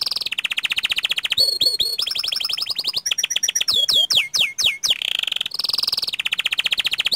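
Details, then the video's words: Panda canary rolling and shooting long: steady buzzy trills interrupted by fast runs of loud, sharply falling whistled notes, then back to rapid rattling rolls. "Suara Kicau Kenari PANDA Gacor Ngerol Nembak Panjang"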